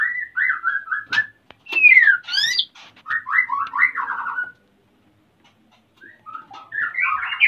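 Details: White-rumped shama male in breeding condition and wanting to mate, at Salaman, Magelang, Central Java; the female is building a nest. Fluty whistled phrases, a sweeping upward-downward note, and stuttering trills, then a pause before more warbling.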